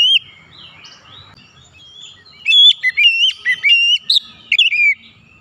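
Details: White-rumped shama song meant to prompt other birds to sing; after soft chattering, a rapid string of loud whistled slurs and stuttering ringing notes.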